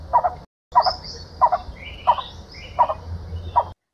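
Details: A blue-bearded bee-eater in the Western Ghats forests gives six gruff, mid-pitched croaking notes about every 0.7 seconds as a danger warning, with faint higher chirps from other birds behind.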